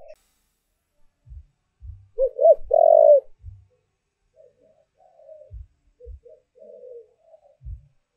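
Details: Spotted dove decoy giving its lure call for wild doves: one phrase of two short coos leading into a long coo, followed by faint quieter coos and occasional dull taps.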